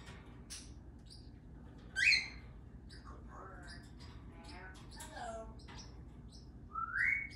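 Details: A pet Congo African grey parrot in a New Jersey backyard talks in muffled, speech-like phrases broken by two loud rising whistles, while starlings, sparrows, a cockatiel and a parrotlet chirp faintly in the background.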